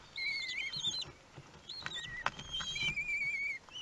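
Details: Kestrel chicks one week old begging while being fed, Théding, 31 May 2020; several overlapping high whistled calls, some rising then falling, with soft rustling and a sharp click in between.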